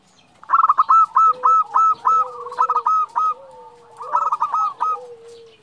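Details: Female zebra dove calling to the male: quick bursts of short, staccato mid-pitched coos in rapid series, interleaved with a lower, drawn-out gliding note, with faint overlapping doves in the background.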